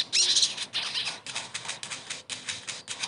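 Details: Ashy tailorbird (sogon) kept as a cage bird, used as a lure to make a silent bird sing again: continuous high, harsh, scratchy chattering with rhythmic pulses throughout.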